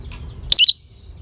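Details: Beautifully coloured 'biola' lovebird whose voice is used to stir breeding urge in other lovebirds, giving a single sharp, squeaky high chirp of about a quarter second over quiet background hum.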